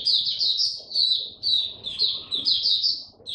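An Oriental white-eye sings a fast, high, twittering song of thin warbled notes in bursts, pausing briefly about every half second; nothing else stands out.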